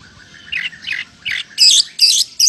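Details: Oriental magpie-robin in full song imitating a lovebird: three rough, squawky mid-pitched notes followed by three loud, very high, harsh shrieking bursts, each about a quarter second.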